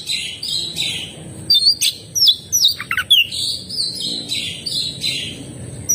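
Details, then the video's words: Oriental magpie-robin singing energetically: sweet, slurred whistles and scratchy notes in loose phrases over a steady background hiss. "suara burung kacer gacor"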